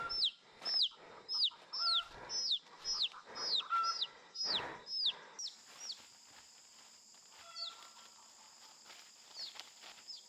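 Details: Wild chicken chicks, caught after a chase and kept in a hand-knitted cage to settle before being tamed. High, descending whistled peeps repeat quickly for about five seconds, then thin out to occasional ones over a steady insect-like hum, with some knocking.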